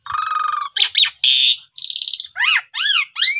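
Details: Javan pied starling of the pundung type, lure song via phone recording to get birds singing: a nasal buzzy held note, harsh bursts, a high grating trill, then three arched clear whistles rising and falling.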